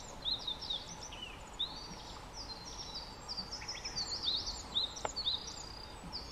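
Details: Japanese yellow bunting singing freely at Togakushi Forest Botanical Garden, Japan, on 4 May 2023: high thin sweet phrases of short slurred notes repeated through the clip, with a faint murmur in the background.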